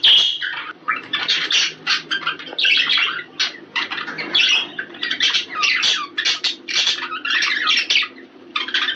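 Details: Chattering budgerigars, a recording used to stimulate breeding: rapid bursts of squeaky, buzzy notes and sharp chirps, a high whistled note at the start, many birds warbling together almost without pause.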